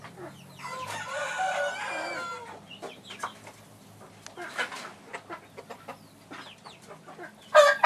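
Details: Phoenix rooster on 20 January 2013, after rain and mud messed up his tail feathers: a drawn-out, harsh, harmonic call lasting about a second and a half, then a string of short sharp clucks and clicks, ending in a loud burst.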